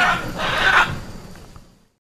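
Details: A single loud, rasping screech from a hyacinth macaw (Anodorhynchus hyacinthinus), swelling briefly and then trailing away into quiet.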